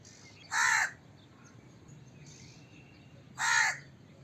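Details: Crow cawing: two loud harsh caws about three seconds apart, with faint softer calls between over quiet background noise.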